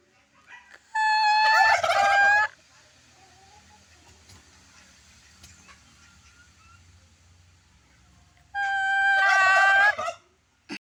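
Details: Turkey calling twice, each a loud harmonic burst of about one and a half seconds ending in a wavering warble, separated by several seconds of quiet low background hum.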